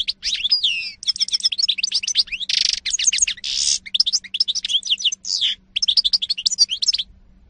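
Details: European goldfinch, recorded in 2018, pouring out long high twittering song with tinkling trills, buzzy rasps and quick chirps in several phrases separated by brief pauses, over a faint steady hum.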